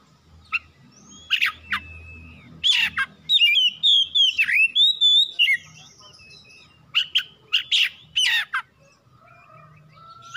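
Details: Oriental magpie-robin, a household bird, singing as a lure for other birds: sharp chirps and a rapid twittering whistled run, pauses, then more scattered chirps, with faint low background hum.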